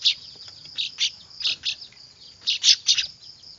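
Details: Clamouring weaver chicks, a call used as a bird lure: loud, high, harsh chirps in clusters of two or three, with short gaps between the bursts.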